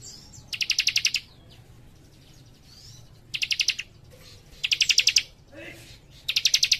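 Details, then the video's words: Busy warbler song: four quick rattling trills of sharp high notes, each about half a second, spaced by pauses with soft thin whistles and a few lower squeaky notes. "Cikris Muda Gacor Nembak Rapat"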